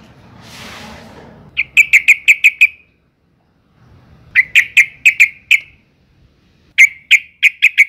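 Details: Female sooty-headed bulbul in breeding condition calling males: three clean series of five or six loud, even, ringing notes each, repeated rapidly, with short silences between series and a brief rustle at the start.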